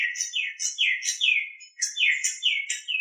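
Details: Nias hill myna master training recording: a steady run of repeated falling whistled notes, about three per second, with brief high chirps over each, continuing without pause.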